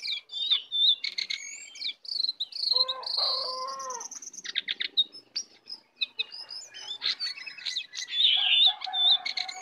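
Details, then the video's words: Lesser shortwing (cingcoang coklat), wild and arriving to attack, gives a dense, high twittering song of rapid chirps and whistles, with a lower buzzy phrase in the middle and squeaky notes at the end. "Jongkangan/cingcoang coklat Liar Datang Menyerang"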